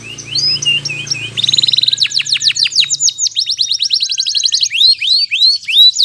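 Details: Canary lure song to encourage canaries reluctant to sing: twittering chirps give way to a rapid rattling trill and then a long series of sharp, quickly repeated upswept and downswept notes, loud and clean.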